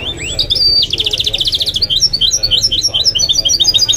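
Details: Mule of goldfinch and canary delivering a bright, continuous warble: a rising slur, then a rapid buzzy trill followed by evenly repeated high chirps.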